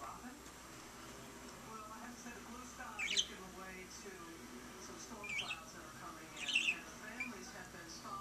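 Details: A pet budgerigar chattering at a lamp gives three short bursts of scratchy, high chirps a second or two apart, over a faint, steady background hiss.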